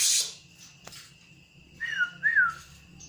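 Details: Grey-cheeked bulbul (cucak jenggot) singing with full intensity: after a noisy burst, two clear whistled notes, the first falling, the second rising then falling. A low steady hum continues throughout.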